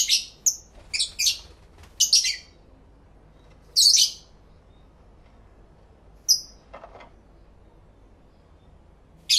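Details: Pet lovebirds singing and talking to each other, recorded in stereo: bursts of shrill high chirps clustered early, a lone whistled note midway, a final chirp at the end, quiet gaps between.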